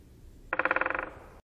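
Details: Great spotted woodpecker in the Wittlicher Tal, Germany: one short, quiet drum roll of about sixteen rapid knocks lasting half a second, with faint background noise.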